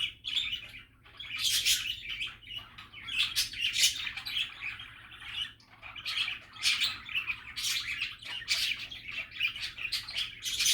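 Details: Budgerigars chattering, described as happy and relaxing: dense, overlapping high chirps, squeaks and warbles in bursts of a second or two, nearly continuous throughout, with a faint low steady hum underneath.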